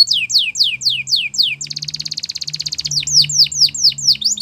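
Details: Canary song for training canaries, Belgian canary style: repeated slurred descending whistles, a fast buzzy rolled trill, then more falling sweeps, with a low steady hum underneath.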